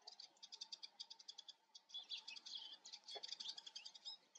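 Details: A Eurasian siskin filmed up close twitters in a fast, high chatter of bright notes with a few buzzy, wheezy phrases mixed in; a faint steady hum runs underneath.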